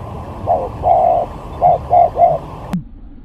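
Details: Spotted dove lure bird in a luring contest, a few soft hollow coos in two short phrases, then a sharp click and quiet.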